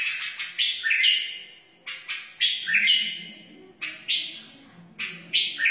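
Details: Wild white-eared bulbul song: four loud, clear warbled phrases about a second long, each opening with a sharp note and then sliding downward, separated by brief gaps.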